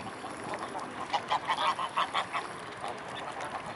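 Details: A flock of mute swans at Blaues Wunder on 25 May 2016 at 15:27 gives a run of short nasal honks, about six in quick succession over a second and a half, above steady background noise.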